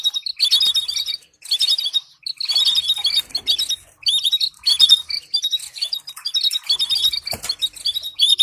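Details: Training song for teaching canaries to sing, with stimulating phrases: repeated runs of sharp, high chirps and rapid trills in bursts of roughly one second, broken by brief pauses and a faint low thump near the end.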